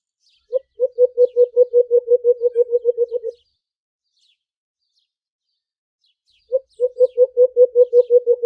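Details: Alimokon, the white-eared brown dove, during aggressive fighting: a quick string of deep, hollow coo notes running together and tapering off, a silent gap of about three seconds, then the accelerating series starts again.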